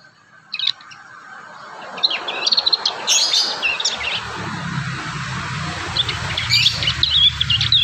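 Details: Wild young prinias practising their song, with irregular bursts of fast high twittering and squeaky slurred notes over a rising wash of background noise.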